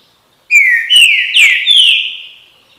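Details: Green-winged saltator delivering the "bom dia seu chico" song: a run of four ringing whistled notes, each gliding down, the final note long and slowly fading.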